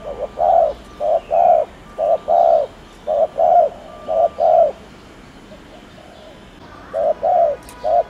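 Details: Cooing spotted dove meant to trigger quick cooing in other birds: soft low coos grouped in pairs, a run of about eight, a pause of two seconds, then three more; a faint thin tone over some notes.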